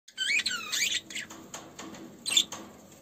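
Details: Budgerigars in an aviary during courtship, with the male feeding the female, chatter: a quick burst of high, scratchy warbles and squeaks in the first second, then quieter rasps and one more shrill chirp near the end.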